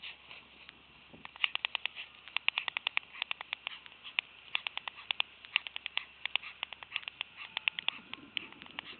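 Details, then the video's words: White storks clatter their bills after the fourth egg is laid, in a mating ritual: bursts of rapid, dry wooden clacks in quick runs, repeated with short pauses over several seconds. "Klepperende ooievaar en paringsritueel"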